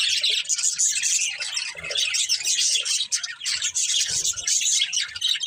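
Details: Budgies kept as a family chirp loudly in a busy, continuous warble of high squeaky notes and trills from more than one bird.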